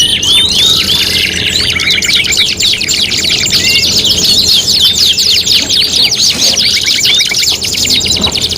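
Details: Canary singing from an Indonesian contest master recording, quick repeated chirps and rolling trills in a dense high stream, some whistled slurs at the start, soft background hum.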